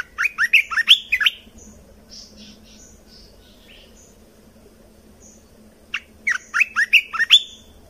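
A red-whiskered bulbul sings two bursts of rich, bubbly whistled phrases, rising and falling quickly, with softer chirps between and a low steady hum behind.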